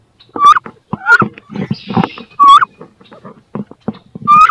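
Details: Female wood ducks battling in a nest box over where to lay eggs: loud whistled squeals that rise then bend down, about four in under five seconds, between bumping scuffles and a rough hissing burst.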